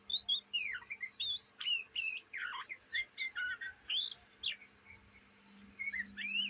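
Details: Young Oriental magpie-robin (kacer trotolan) in ngriwik chattering, heard day and night: a rapid run of varied high whistles, slurred rising and falling notes and short chirps, delivered in quick bursts, with a faint constant hum beneath.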